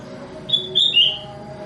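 Sooty-headed bulbul giving a quick phrase of three bright, whistled notes, the last slightly lower, over a faint steady hum.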